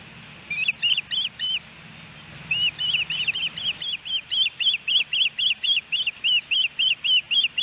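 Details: Ospreys calling at a nest camera in Hellgate Canyon, Missoula, Montana, July 13, 2018, on a three-fish delivery day. A few whistled chirps, a brief gap, then a long, steady run of sharp, rising-falling whistles repeated several times per second.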